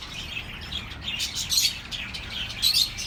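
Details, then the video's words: Pet-bird chirping meant to relax lonely birds, with quick overlapping high tweets rising in loudness around the middle and again near the end, above a faint low background rumble. "The best relaxing birds sounds for your lonely birds"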